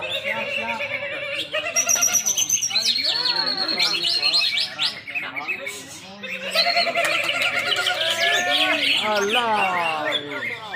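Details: Vigorous song of a greater green leafbird: loud, unbroken medley of rising and falling whistles, fast trilled runs and warbled chatter, with a brief quieter moment midway.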